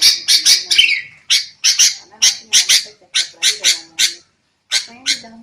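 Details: Sooty-headed bulbul, a recording for luring birds into traps: spaced, scratchy notes in pairs, one downslurred, a short silence, then two final rasps.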